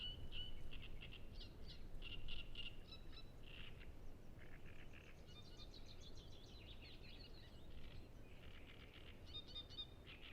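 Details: Several Great Reed Warblers sing in the Emajõe Suursoo nature reserve on the shore of Lake Peipus, recorded on a Zoom F6 with Sennheiser MKH 8040 mics: harsh, grating, chattering notes repeated rapidly in bursts, over a steady low rumble of background noise.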